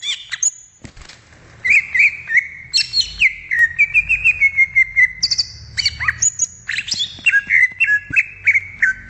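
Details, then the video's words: Greater green leafbird singing in the wild, a busy, varied song of high chips, downward-slurred whistles and steady level notes, delivered rapidly in uneven bursts. There is a soft low rumble in the background. "SUARA ASLI CUCAK IJO DI ALAM LIAR"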